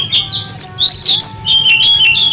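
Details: At a bird-singing competition, a contest-winning Oriental magpie-robin, fed ten crickets in the morning and ten at noon and sunned for one hour, sings a rapid run of loud, varied whistles and sharp chirps that rise and fall, over a faint steady hum.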